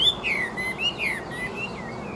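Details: Caged Chinese hwamei, a fan-tailed, wing-flicking fighting bird, singing loud, clear whistled phrases that slur downward and rise again, several notes in quick succession, with faint background hiss.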